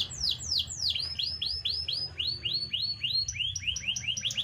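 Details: A canary sings a fast series of high descending whistled sweeps, several notes per second, the phrase shifting pitch midway and ending in quicker, higher notes.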